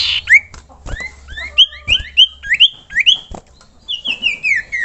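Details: Lure call of a common iora meant to draw other ioras into singing: a quick run of short, sharply inflected whistled notes, each sweeping down, then a descending series of slurred whistles.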